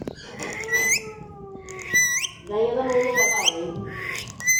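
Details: Talking parrot uttering speech-like phrases: rising, squeaky syllables over sustained tonal notes, three or four phrase groups spread across several seconds, with faint room noise beneath.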